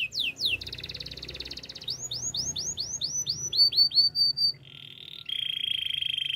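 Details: Russian canary singing: a buzzy roll, a run of clear rising whistles repeated in quick succession, then steady rattling trills at two pitches.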